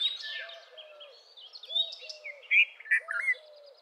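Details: Red-vented bulbul calling amid other birds: three short, strong, liquid notes toward the end, each sharply clipped, with continual faint high twittering and a soft, regularly repeated low hoot behind.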